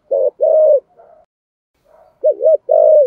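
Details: Spotted dove cooing 'thúc gù' with the 'thổ sấm' voice: a short low note and a long steady coo, a soft murmur, then a wavering double note and another drawn-out coo.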